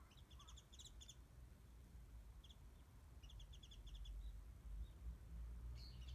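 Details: Warbling white-eye perched up from a backyard mandarin-orange feeding spot, a bit far, recorded by smartphone; scattered short clusters of high, fast twittering notes amid louder low rumbling that grows toward the end.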